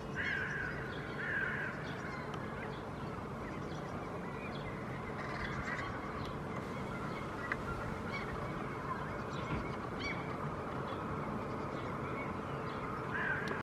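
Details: Local Hooded crows in urban Helsinki, Finland, on 2024-04-21, seemingly displeased by a Common raven in their area, give a few harsh, rasping caws near the start and again at the end, over a steady roar of city traffic.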